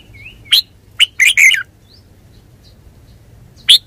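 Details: Red-whiskered bulbul with a soft rising whistle, then a burst of quick chirpy notes and a final single bright note after a pause.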